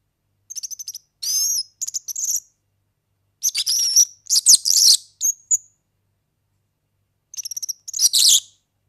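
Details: European serin song, Greek organeli, for training young birds: extended high jangling trills, stuttering and wheezy, with a few brief rising whistles, in two long bouts and a final burst.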